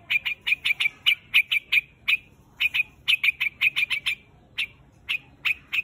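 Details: White-headed quạch mốc bird calling the flock with bursts of loud, clipped chirps, grouped in quick clusters of three to eight notes separated by short pauses.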